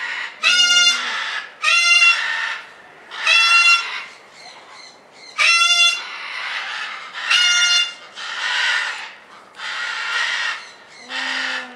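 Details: Red-fronted parakeet (Cyanoramphus novaezelandiae) in the Avifauna bird park, Alphen aan den Rijn, Netherlands, repeating ringing, nasal chatter bursts roughly every one to two seconds, about eight bursts in all, some with a short low tone at the start.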